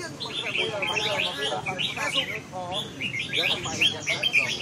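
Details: Busy chorus of red-whiskered bulbul song: quick high chirps and trilled phrases in short bursts, overlapping among several birds, mixed with lower, voice-like harmonic sounds.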